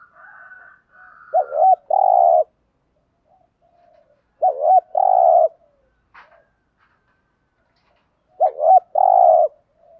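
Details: Spotted dove coos from a mix of female and male birds, used to excite wild-caught males. Three regular phrases come about three and a half seconds apart, each a wobbly note pair and a long buzzy coo, with faint higher tones early on.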